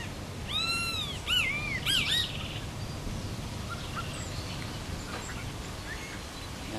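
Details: A European starling nestling peeking out of the nest gives a quick burst of four or five arched, wheezy begging calls, then fainter ones, over steady low background rumble; recorded 5 November 2016.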